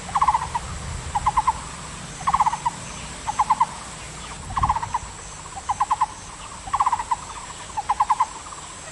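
Taiwan barbet sings hollow, mid-pitched notes in quick bursts of three or four, repeated about once a second. A faint steady insect hiss runs behind.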